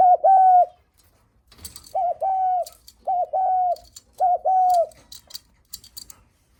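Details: Visitor-greeting cooing of a spotted dove: four two-part phrases, a quick clipped note then a prolonged level coo, spaced about a second apart, with faint ticking sounds in between.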